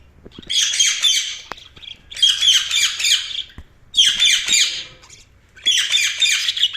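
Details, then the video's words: Budgerigar chirping in four loud, harsh, scratchy bursts, each about a second long, separated by brief silences, in a small indoor space. "Budgies Sounds| Budgies Chirping sound"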